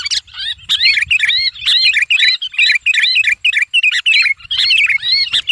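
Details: Sooty-headed bulbul lure recording, described as a bulbul screaming or held in the hand: quick, bubbly whistled phrases, rising and falling, repeated almost without pause, over a faint low rumble.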